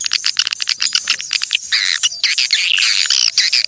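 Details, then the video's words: Swiftlet calling sound, used to attract swiftlets, described as genuine from nature and clean: dense, rapid high-pitched chirps and twitters, run together almost continuously and growing fuller and louder in the second half. "SUARA PANGGIL BURUNG WALET ASLI DARI ALAM"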